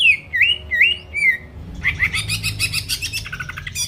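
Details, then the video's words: Greater green leafbird song used to provoke rival birds into singing: several looping whistled phrases, then a dense run of rapid chattering notes with bright high accents. "PANCINGAN CUCAK IJO GACOR BUKA PARUH BIKIN LAWAN CEPAT ON LANGSUNG EMOSI DENGAR SUARA INI"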